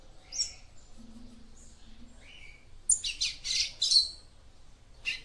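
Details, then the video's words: Female papa-capim seedeater singing to get the male ready: a few thin chirps and a short buzzy note, then a rapid run of loud, high, rasping twitters ending with a single chirp. "CANTO DE FÊMEA PAPA CAPIM PARA ESQUENTAR SEU MACHO"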